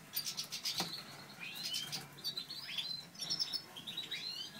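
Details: Satinet canaries during breeding, a natural/satinet male with a satinet hen, heard faintly: soft high twittering with rising and falling slurred notes and short chirps over background hiss.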